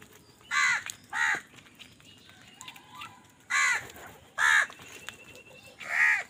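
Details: Squabbling over food, crows call in loud, hoarse caws, a pair early on, then three more spaced roughly a second apart, with quiet gaps and faint background sounds.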